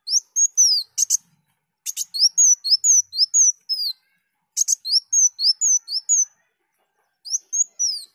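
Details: Training recording of a kolibri daun: high, thin, quickly repeated downslurred whistles and chirps in phrases broken by sharp clicking notes and a few short silences.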